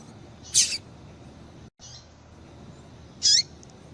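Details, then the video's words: A female Rusty-collared Seedeater calling to get males singing: two loud, sharp high chirps nearly three seconds apart, a faint note between them, over quiet steady hiss. "Piado de Fêmea de Coleiro Com Piado de Fêmea de Coleiro Quente para Esquentar Coleiro tui tui"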